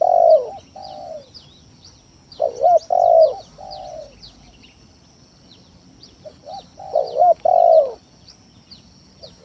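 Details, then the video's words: Spotted dove in full song as a lure to goad rivals and prompt silent doves to call: three loud, rolling coo phrases with softer trailing coos between, and many faint high chirps behind. "Suara Pikat Tekukur Tanah full gacor Nekan lawan"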